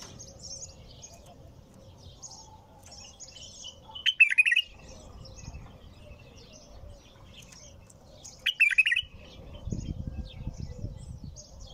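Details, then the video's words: Bulbul singing two bright, bubbling phrases about four seconds apart; faint high twitters fill the gaps, and a low rumble rises near the end. "تغريد بلبل طور بدون توقف"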